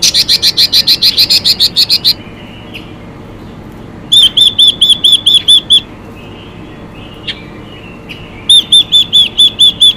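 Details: Female Chinese hwamei singing to excite males: a rapid burst of about twelve strong notes, then two series of around eight clear, arched whistles with quiet gaps between.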